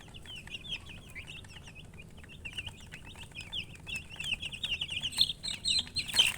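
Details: Many young chicks peeping rapidly, a dense run of high twittering notes that grows louder and busier toward the end, with one loud burst and faint low noise underneath.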